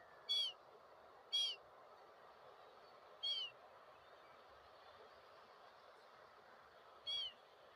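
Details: Calling gulls give four brief, bright, harmonic squeals, two close together, then a gap, then two more widely spaced, against a constant hiss of ambient noise.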